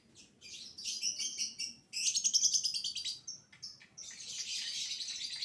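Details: Lovebird song used as a lure to get other lovebirds singing, a violin-type voice: long runs of high, rapid, buzzy chattering trills in dense bursts, broken by short pauses and a few sharp single chips.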